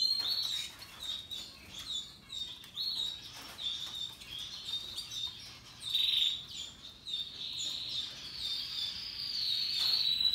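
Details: Canaries, Russian yellow and Timbrado, singing happily in bursts of high chirping trills, with quieter gaps between phrases and a louder rolling passage near the end, plus soft rustling and patter.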